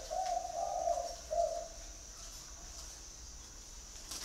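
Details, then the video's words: Spotted dove giving one three-part cooing phrase, two soft rolling coos and a short closing note, followed by quiet with a faint steady high hiss. "chim cu gáy gọi"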